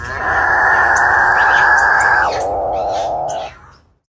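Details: Capuchinbird (Perissocephalus tricolor) gives one long, droning, buzzy moan lasting about two seconds, then dropping lower and fading after another second; a scream-like sound heard in dark forests.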